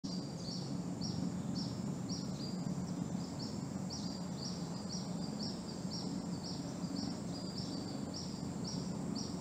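Sunda pygmy woodpecker giving a series of short, high, thin notes, several each second, over a steady low rumble of background noise.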